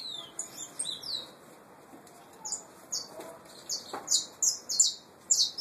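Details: Saffron finch nestlings of pure Peruvian type: scattered high, sharp chirps and short descending notes, growing louder and more frequent toward the end, with soft rustling between.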